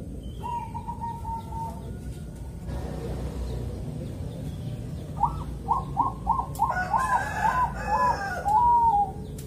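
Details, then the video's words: Bangkok zebra dove in Kediri, East Java, morning song with a calm rhythm meant to prompt other doves to sing: a long level note, then a noisy pause, then a run of crisp coos while a harsher, louder call overlaps. "suara burung perkutut bangkok irama"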